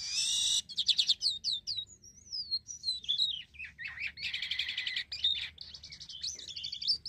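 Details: Black-winged myna singing, as used for luring other birds: a mix of harsh buzzy bursts, sliding whistles and rapid chattering phrases, delivered without pause.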